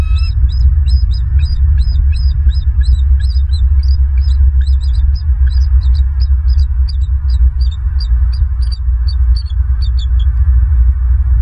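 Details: Wild bald eagles at a nest camera in Southwest Florida, November 16, 2022, afternoon: a long run of rapid, high, piping notes, quickly repeated for about ten seconds over a strong steady low rumble of wind or hum.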